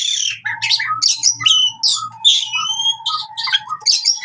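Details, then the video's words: Fighting song of an oriental magpie-robin, meant to get silent birds singing again. Sharp high whistles and buzzy chips tumble over repeated lower piping notes, with a faint low hum underneath. "KACER TARUNG COCOK UNTUK KACER MACET BUNYI"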